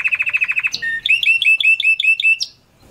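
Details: Canary song for mating and stimulating females: a quick burst of about ten sharp, evenly spaced chirps, then a chain of bright rising whistled notes repeated about five times a second, ending on a high squeaky note before silence.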